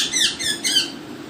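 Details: Parrot producing three rapid, high, screechy chirps in close succession over a low background hum.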